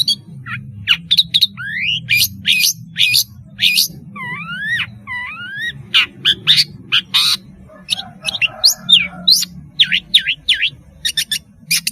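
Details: Long-tailed shrike song used as a lure for juvenile birds learning sounds: a rapid, varied stream of thin high notes, rising and falling whistled slurs and paired upward sweeps, over a soft low rumble.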